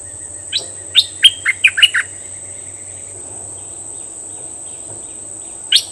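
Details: Cream-vented bulbul kept as a decoy bird, recorded May 2021 and described as really fierce: a quick burst of five sharp, descending chirpy notes, then a pause and one more note, over a steady high whine and a low hum.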